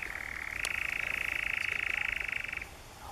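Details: European Nightjar churring in the Brecks, Norfolk, July 2017. A rapid pulsed churr rises a little in pitch after half a second, carries on steadily, then stops abruptly around 2.6 seconds, leaving near silence.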